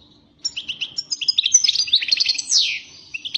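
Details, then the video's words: Lively European goldfinch twittering: quick liquid chirps run together into a jangling phrase, with a sweeping downward buzzy note near the end and a soft background hum. "Καρδερίνα πυρωμένη!! ( Carduelis Carduelis )"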